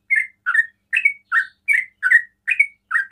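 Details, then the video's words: Sooty-headed bulbul delivering fast 'ropel' song that stirs other bulbuls to answer: a steady string of eight bubbly, slightly slurred notes at about two or three per second, alternating higher and lower. "TRUCUKAN ROPEL PANDAI BIKIN TRUCUKAN LAIN TERPANCING BUNYI"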